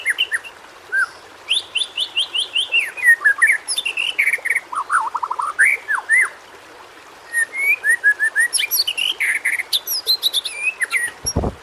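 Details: White-rumped shama whistling a varied training song for shamas that sing little: clear rising and falling whistles, a quick descending series of notes, high tinkling chips, a short pause, then more phrases ending with a thump.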